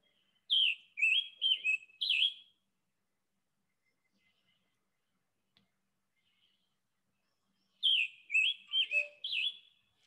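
Scarlet Tanager singing two short phrases of four or five hoarse, burry notes that rise and fall, separated by several seconds of silence.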